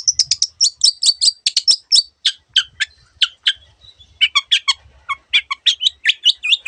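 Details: Long-tailed shrike singing a varied song full of imitations of other birds: rapid series of sharp, clipped chirps and ticks, high at first then dropping lower, repeated several times per second.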